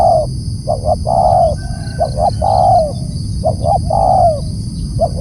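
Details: Repeated loud spotted dove calls, roughly every second and a half: paired short coos followed by a longer, mellow falling note, over steady low background rumble.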